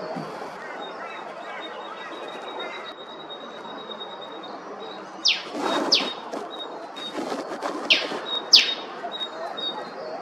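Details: Eastern spinebill calling in Queensland, Australia. After five quiet seconds, a burst of crisp, high descending notes arrives in two loose pairs, with softer chips between them, over a constant faint high-pitched hum.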